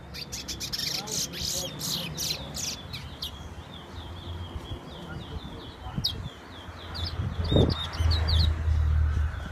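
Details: Towa towa, or chestnut-bellied seed finch, from Guyana whistling: quick high notes pour out at the start, fall away in the middle, then return near the end, with a low hum and rumbling noise underneath.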